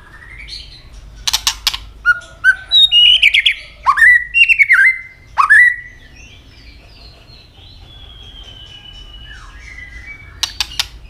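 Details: White-rumped shama fighting song: click snaps lead into a lively run of whistled, sharply inflected notes, followed by a long soft fading whistle and a last pair of clicks.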